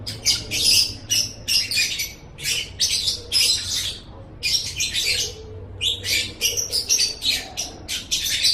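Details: Lovebird singing in an Indonesian masteran tutor recording: choppy bursts of shrill, scratchy chatter, with a clear silent gap around four seconds before the twittering resumes.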